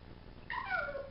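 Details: Pet male African grey parrot about nine months old, indoors, experimenting with his voice: a short harmonic whistle that slides downward over about half a second, after a quiet start.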